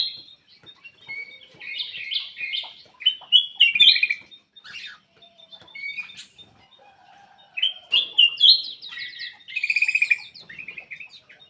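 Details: Black-crested bulbul in full, busy song to coax quiet birds: dense bubbling warbles and whistled phrases in several bursts, ending with a rapid trill, with soft clicks between.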